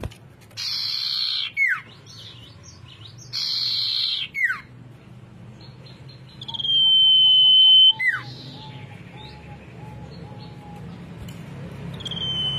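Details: A Common iora sings bright, high, buzzy bursts ending in sharp falling slurs, then a long level whistle and a few lower notes.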